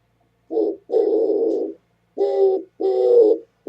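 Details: Oriental turtle dove on 27 January 2017 giving low cooing calls: a short coo followed by a longer hoarse one, the pair repeated twice, with silence between phrases.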